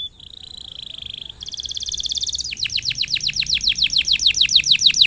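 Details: Lively canary song meant to stimulate other canaries to sing: a steady high buzzy trill rising a step in pitch, then a quick regular series of sharp downward-swept whistled notes.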